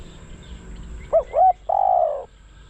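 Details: Spotted dove kept as a decoy to lure wild doves, uttering two short hooked notes followed by a sustained level coo lasting about half a second, with low background rumble.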